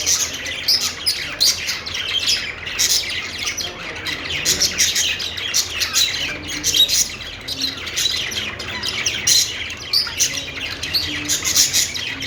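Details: Happy budgerigar singing while perched, a steady, dense stream of twittering chirps and rasping chatter that runs almost without pause, rising and falling in loudness.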